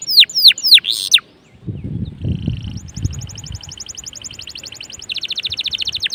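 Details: Lively canary song, used as a lure to set other canaries singing: a few loud, sweeping downslurred notes, a short pause with low rumbling noise, then fast, thin, even trills rising in loudness.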